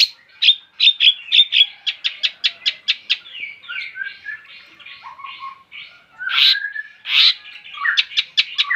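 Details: Long-tailed shrike song opening with a quick string of sharp repeated notes, then softer warbled phrases, low whistles and loud harsh bursts.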